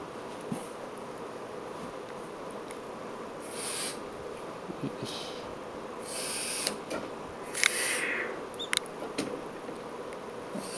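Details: A three-day-old tropical screech owl (Megascops choliba) chick gives a few short, hissing, wheezy bursts, spaced irregularly over a faint background hum, with soft clicks between.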